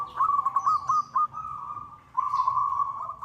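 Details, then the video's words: Local zebra dove calling a rival, used as a lure: stuttered trilled notes running into a sustained rolling coo, a short break, then another long bubbling trill, distant high bird chirps. "suara perkutut lokal memanggil lawan sangat cocok untuk PANCINGAN"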